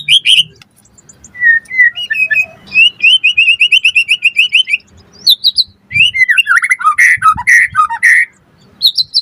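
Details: White-rumped shama lure song to make birds respond: a brisk string of rising whistled notes, a steady rapid run of short notes, then a burst of harsh, varied chattering phrases.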